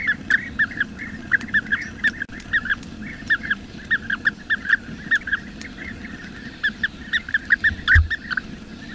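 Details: In the wild, a bee-eater (local name krik-kirik) repeats short trilled chirps in pairs and loose series, with a low background rumble and a brief low thud near the end.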